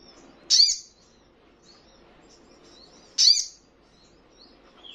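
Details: Sogon (crimson sunbird) recording used to make caged birds respond and flick their wings: two sharp high chips nearly three seconds apart, with soft thin twitters between them.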